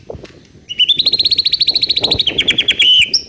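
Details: Lure song of the White-rumped shama aimed at a juvenile speckled bird to get it singing: a rapid, high, metallic trill of closely repeated notes holds for over two seconds, then drops into a short slurred ending, over soft low background noise.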